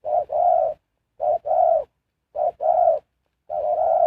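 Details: Spotted dove decoy for trapping wild birds, uttering four soft, low cooing phrases, each a quick first note run into a longer rolling coo, spaced by short silences.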